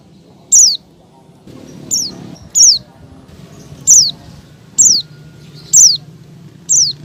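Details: Oriental white-eye female calling the male: seven shrill, falling notes about once a second, some in quick pairs, with brief low noise in the background.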